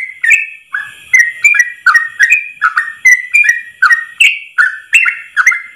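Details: Ropel song of a yellow-vented bulbul, or trucuk, delivered in one long breath as a training master: a steady string of some sixteen short, rich whistles rising and dipping, each opened by a tiny click.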